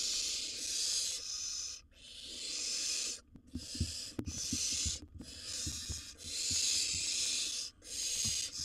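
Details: Barn owl nest scene with a nest switcher seizing prey: repeated harsh, breathy hisses of one to two seconds separated by short gaps, with light clicks and rustles.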